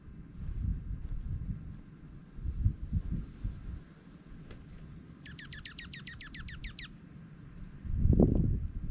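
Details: Dark-eyed junco feeding during snowfall in Minnesota: a quick trill of about eleven rapid, downward-sweeping chip notes lasting under two seconds, over steady low rumbling and thumping noise.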